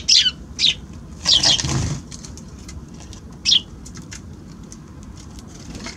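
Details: Eurasian tree sparrows at a balcony on January 6 give a few sharp falling chirps, partly doubled, along with a brief muffled flutter and quiet background.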